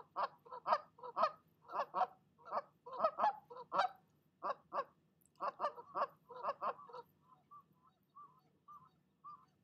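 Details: Mother goose on the nest chewing out a departing goose with many harsh honks in quick runs, fading into softer, thinner repeated calls near the end.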